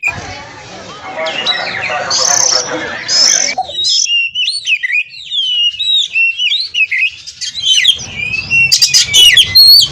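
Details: Captive oriental magpie-robin from a breeding farm in Kroya, Indonesia, mating and singing to provoke rivals into song; after a noisy, mixed opening, high varied whistles, slurred rising and falling notes and quick chirps run on for several seconds.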